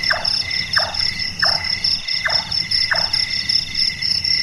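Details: Large-tailed nightjar, called the carpenter bird because its voice resembles woodworking, is active at night. Five quick, hollow, descending knocks come about every half second, with a constant ringing insect chorus behind them.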